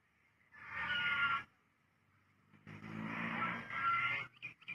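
A goose gives two harsh, raspy, drawn-out calls about a second apart, the second longer and rougher. Nothing else is heard.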